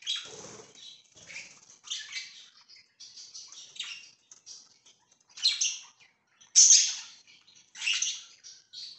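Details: Pet budgerigars on 24 September 2024 keep up a busy, irregular twittering warble, with soft scratchy notes broken by a few louder, harsh chirps.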